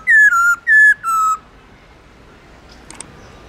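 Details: Black-throated laughingthrush giving forest-style song used to get newly caught birds singing: four loud, pure whistles in two pairs, each pair stepping down in pitch. Soft faint ticks follow in the quiet.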